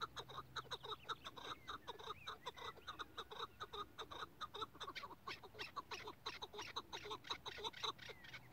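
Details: Chukar partridge (Alectoris chukar), call.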